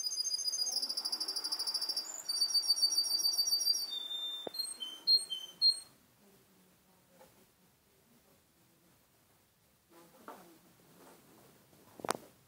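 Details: Seven-month-old young male canary from Garni, Armenia, delivering quick high trilled rolls and a few short whistled notes for about six seconds, followed by quiet room sounds and occasional clicks and knocks.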